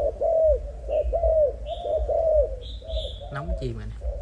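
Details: Young breeding spotted dove of the Malaysian strain coos steadily in soft, hollow, evenly spaced notes, joined by a few thin high chirps nearby, while a brief human voice breaks in near the end.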